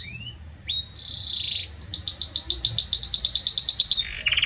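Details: A Belgian canary sings loud, high phrases: a couple of whistled slurs, a buzzy burst, then a fast repeated trill of bright notes, about three per second.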